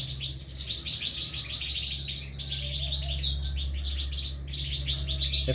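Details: Goldfinch chicks in three nests calling for food as they are fed: a steady stream of thin, high, rapid chirps with a persistent low-frequency hum beneath.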